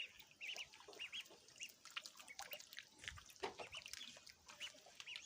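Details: Little ducks eating food make scattered high peeps, single or doubled, partly masked by dense crackling, tapping and rustling noise.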